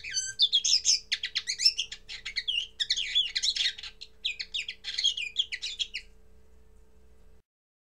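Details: Early song of a common linnet: fast, tumbling twitters and sweeping chirps for about six seconds, then the bird falls silent with only a faint hum remaining.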